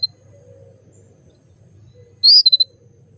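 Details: Female canary calling so males quickly come into breeding condition; a short tick, then a bright high whistled note trailed by three fast descending pips, over a low background hum.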